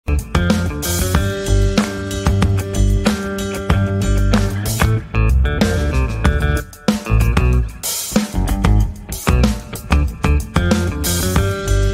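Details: Band music with guitar, bass and a drum kit plays throughout, with no animal voice to be heard.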